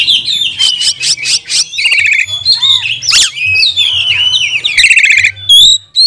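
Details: Oriental magpie-robin pouring out a loud, varied lure song to train and provoke other magpie-robins: rapid buzzy rattles, clear whistled slurs and sharp upward notes, quickly alternating in bursts.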